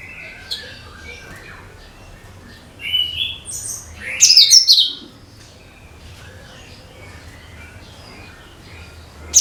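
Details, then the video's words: Cucak kinoi (bulbul) song, used to lure every kind of bird: scattered high chirps and a whistled note, then a bright burst of quick, twittering high notes, with faint soft whistles in a quiet background. "SUARA CUCAK KINOI BUAT PANCINGAN SEGALA JENIS BURUNG"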